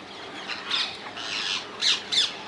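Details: Wild rose-ringed parakeets in the Netherlands; loud harsh screeches, a few drawn-out squawks followed by two sharp shrill calls close together near the end.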